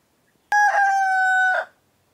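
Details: Rooster of an egg-laying breed gives a single crow: a sharp onset, then a bright, steady, strongly harmonic tone held for about a second, ending in a brief rough flourish. Quiet background.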